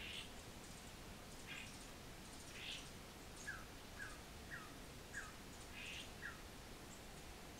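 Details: Mexican woodnymph (Thalurania ridgwayi) calling: short, high, dry chips repeated about every half second, mixed with brief buzzy notes, over a steady background hiss.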